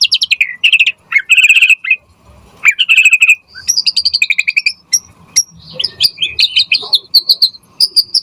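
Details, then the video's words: Singing white-rumped shama, played to provoke shamas into answering and to teach them song: bursts of fast high chattering trills alternating with short sharp whistles and clipped chirps. "Pancingan Murai Batu Gacor Auto NYAUT cepat RESPON Buat Masteran Burung Murai Agar Gacor Full Isian"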